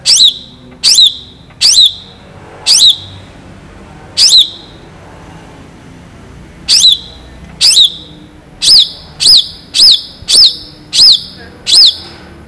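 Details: Long-tailed shrike in rich, varied song of sharp shots: loud downward-sweeping high notes, first spaced irregularly with a pause, then quickening into a fast run of repeated notes near the end.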